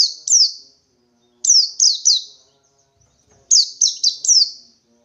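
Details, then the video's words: Wild white-eye in the 'ngalas 123' style, seeking a rival: bright, high, downslurred notes in quick bursts of two, three, then four, with bursts about two seconds apart over silence. "Burung Pleci Ngalas 123 Mencari Lawan"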